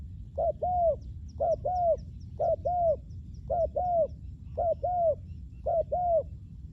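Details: Spotted dove used as a lure for wild doves: six regular double coos, a brief note and a longer mellow one, about once a second, with a faint high ticking in the background.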